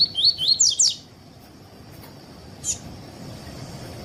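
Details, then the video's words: Double-collared seedeater singing the 'tui tui' style, used to teach and warm up other seedeaters: a quick run of about five rising whistled notes in under a second, then silence broken by one sharp click. "ENCARTE PAPA CAPIM TUÍ TUÍ PERFEITO ENSINAR PAPA CAPIM COLEIRO ESQUENTAR CANTO DO COLEIRO/PAPA CAPIM"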